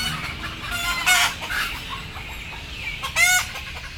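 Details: Several frightened, drowsy chickens about to be loaded make overlapping harsh cries, one strong squawk early and another near the end, with quieter clucking and a faint descending squeal between them.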